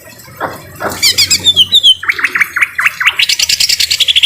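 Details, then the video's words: Greater green leafbird singing in a harsh voice for tutoring, with rain: low rough notes, squeaky slurs, a row of loud separate harsh chips, then a rapid buzzy trill. "Masteran cucak ijo suara kasar dan suara air hujan"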